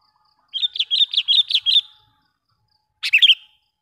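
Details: Sooty-headed bulbul kept as a lure, with a loud, sharp call meant to provoke wild bulbuls: a quick string of six rolling, bubbly notes, a pause, then a shorter three-note phrase.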